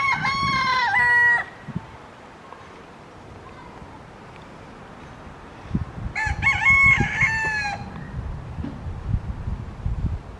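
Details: Two yellow-legged gulls waiting at a park picnic area in Cascais, Parque Marechal Carmona, hoping for fallen chips: a loud, nasal, harmonic wailing call lasting over a second, a quiet pause, then a second long strained call and rustling.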